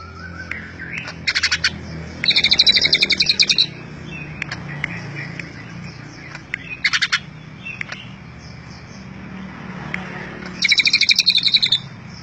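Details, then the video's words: Greater green leafbird (cucak ijo) delivering Cililin fill-in song: separated bursts of fast, high, metallic chattering notes, with scattered single chips and soft whistles between the bursts and steady low background hum. "Cucak Ijo isian Cililin"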